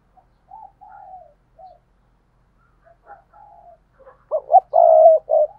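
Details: Caged decoy spotted dove 'gáy gọi', calling out, recorded 2022. Scattered quiet coos and pauses build to a strong phrase: two abrupt rising notes, a long level coo, then a shorter final coo.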